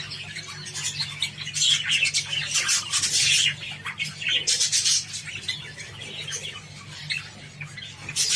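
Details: Java sparrows eating wheat give a busy chorus of short, high squeaky chirps that swell in loose clusters, then thin out over a soft, constant low hum.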